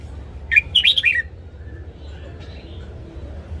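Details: Caged red-whiskered bulbul giving its morning training song: one short phrase of four or five quick, rising and falling warbled notes, followed by quiet low background noise.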